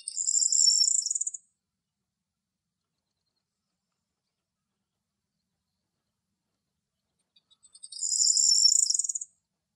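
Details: Wild corn bunting singing in Greece: two short high jingling rattles, like shaken keys, about eight seconds apart, each starting with scattered ticks, in silence between.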